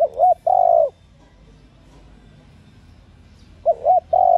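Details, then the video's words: Female spotted dove calling to rouse male doves. A clear, mellow phrase of short coos ending in a sustained note is followed after a pause by the same pattern. "Tiếng cu gáy mái kích mồi tập bổi,kích bổi ức chế gáy"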